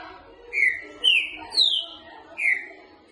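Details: Boca mole style song of a green-winged saltator, meant for training: four loud, slurred whistles in steady succession, the middle ones climbing higher before the last drops back, with faint low murmuring behind.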